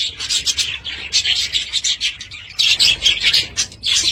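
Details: Budgies kept at home chirping in quick high bursts, a run of short scratchy notes, a pause, then louder warbling.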